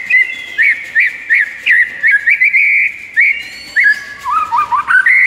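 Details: White-rumped shama morning masteran song made of loud, clear whistled notes repeated about twice a second, each rising then falling, ending in a quicker wavering run.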